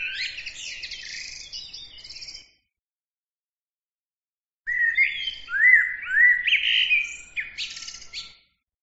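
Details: Songbird giving two bursts of rapid, varied twittering: high buzzy trills and squeaky notes, then slurred rising-falling whistles among sharp chirps, separated by about two seconds of silence.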